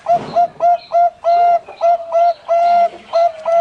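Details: Bangkok zebra dove kept at a Pamekasan, Madura bird farm, giving soft, level coos that alternate between brief clipped notes and longer sustained ones, about ten notes in under four seconds.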